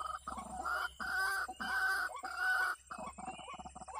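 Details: White-breasted waterhen (ruak-ruak) heard as a bird-trapping lure: loud, harsh, nasal croaks in long drawn blocks, separated by brief gaps, then shorter choppy notes toward the end, with a steady background hum.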